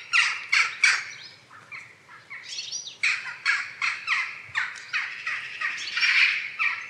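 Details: Jackdaw flock chattering steadily, with overlapping harsh, nasal 'kya' and 'tchak' calls tumbling over one another without a break.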